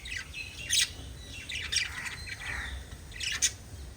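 Lovebirds giving harsh, squawky chirps in bursts about every second, with some thinner twittering between, over a low background hum.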